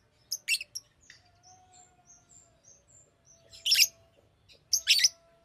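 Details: Piercing chirps from a Fischer's lovebird open and close the recording, with a faint thin whistled tone and soft squeaks in the quiet middle stretch.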